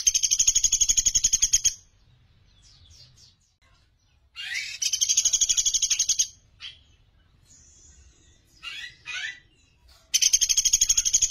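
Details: Sunda pygmy woodpecker, recorded as master training song, giving three high, fast rattling trills spaced several seconds apart. Each trill is a run of evenly spaced sharp notes, with soft scattered chirps in the gaps.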